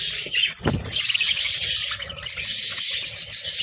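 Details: Several budgerigars chirping while feeding on colourful vegetables; dense, continuous high warbling chatter with scratchy squeaks overlapping throughout, and a brief low thump near the start.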